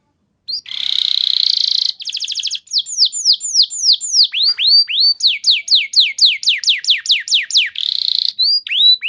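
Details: Lure song by a canary, long-shooting 'gacor' singing used for training: a buzzy trill, a fast rattle, then a long run of sharp descending whistled slurs, with another buzzy trill near the end.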